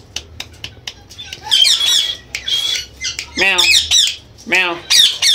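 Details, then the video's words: Indian green ringneck parrots kept as pets, mimicking cat meows and speech: scratchy squawks followed by two descending, wavering meow-like calls, with clicks between them, in a small room. "IRN Best Talking Parrot || Bolne Wala piyara Tota"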